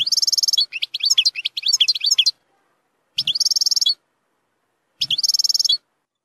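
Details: European goldfinch singing zilzal song rich in strong nahrat, used to tutor young birds; a fast, buzzy, evenly repeated trill, then jumbled twittering notes, followed by two shorter trills of the same rapid type with pauses between.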